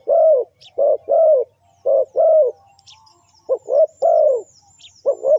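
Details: Cooing of a spotted dove, a call used for luring wild birds. Loud, low, mellow notes are delivered in clustered runs of two or three, the longer notes swelling and fading. Occasional faint distant chirps occur.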